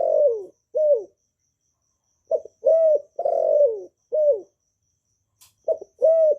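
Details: Spotted dove in calling, urging and cooing styles, recorded without background noise and meant to get newly kept doves singing: repeated phrases of hoarse, downslurred coos, each opened by a brief clipped note, with short silences between.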